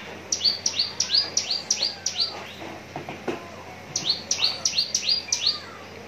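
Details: Contest-ready caged Javan bush lark from Cikupa, Tangerang regency, Indonesia: fast runs of bright, ringing chirps, about three per second, in two bursts separated by a short pause.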